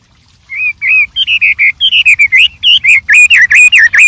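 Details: Wild white-rumped shama in lively, varied song: a fast series of clear whistled notes, each rising and falling, repeated at a steady quick pace and growing louder and more complex toward the end.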